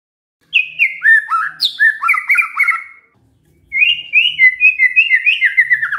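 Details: Canary-like song from a white-rumped shama: bursts of fast slurred whistles and downward sweeps, a short pause, then a brisk chain of rising and falling trills, roughly three notes per second.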